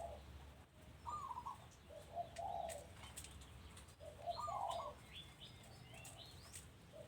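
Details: Soft dove cooing recorded at a house, two or three rolling phrases of mellow notes with faint higher chirps from other birds in the background.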